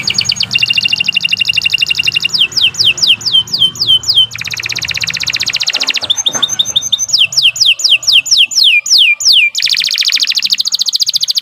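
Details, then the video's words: Canary in long continuous song for training: dense rapid trills alternating with series of down-slurred whistled notes, then more fast rolling trills. "Kicau Burung Kenari II GACOR PANJANG Cocok untuk Masteran"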